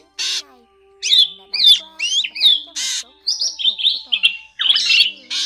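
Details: Drongo calls used to lure birds into nets in Vietnam: harsh buzzy bursts alternating with looping whistled and metallic notes, a varied jumbled series over several seconds, over a faint steady hum.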